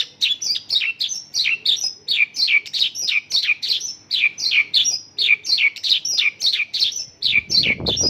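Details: Mongolian lark singing local bird phrases as a regular string of whistled notes that slur downward, repeated without pause, ending with a brief low rustle.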